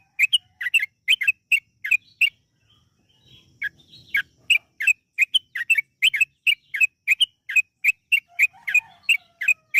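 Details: Energetic yellow-vented bulbul singing in long rapid runs, used to prompt birds to sing: fast, steady series of sharp chirps, about three per second, with a faint low murmur in the middle.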